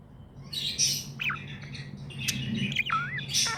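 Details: Happy pet budgerigar chirping in quick scratchy bursts, with a few short upward-curving whistled notes and a wavering whistle near the end, over a faint low hum.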